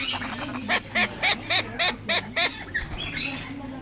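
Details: Tame male turquoise-fronted amazons, hatched 2019, giving a run of seven harsh, nasal squawks at about four per second, then softer chatter over a low background hum.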